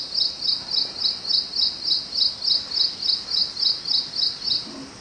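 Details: Ashy prinia calling near a house at 6:20 am on 25 May 2022: a high, rhythmic series of short chirping notes repeated steadily about three times per second, even in pitch throughout, with a quiet background.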